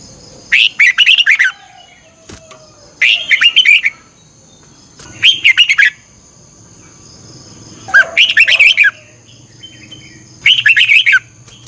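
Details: Red-whiskered bulbul singing in the morning as a training voice, 'chè căng lửa' double-twist style: five short bursts of fast, bubbling, slurred notes repeated roughly every two to three seconds over quiet background.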